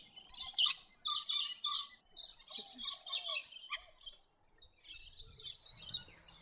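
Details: Scaly-breasted lorikeets, a noisy flock on Australia's east coast, giving shrill, screechy high calls in rapid bursts, overlapping chatter with brief pauses and a softer harsh trill at the end.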